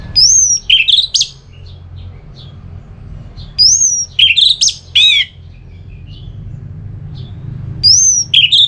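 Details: Orange-headed thrush singing ngeplong phrases to stimulate another bird to sing: three separate bursts a few seconds apart, each opening with a high pure whistle followed by quick jumbled warbles and a rasping note, quiet gaps between.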